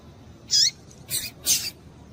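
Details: Female double-collared seedeater calling to stimulate males: a high chip with a falling tail followed quickly by two harsher, noisier high bursts in rapid succession; faint hiss behind.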